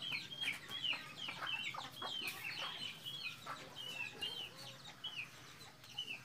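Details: Several captive red junglefowl on a Bengkulu breeding farm in Mukomuko, producing a dense chorus of high, sliding whistled chirps, irregular and overlapping, over faint background noise.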